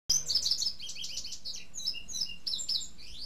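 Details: Indigo bunting, known locally as azulejo de Cuba, in its first season, singing a fast series of high paired and slurred notes, sweeping and buzzy, delivered in quick succession, with a faint low hum underneath.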